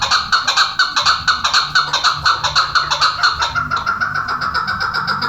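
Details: Chukar partridge giving a rapid, regular series of harsh, clucking notes, roughly two per second, continuing steadily throughout, with low background rumble.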